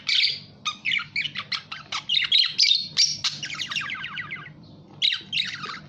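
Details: Budgerigar warbling in quick chirpy pulses, a fast trill-like series of notes near the middle, then a pause and more squawks.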